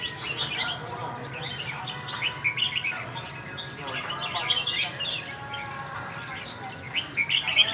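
A red-whiskered bulbul sings bright, bubbling chirps and quick warbled phrases in short bursts.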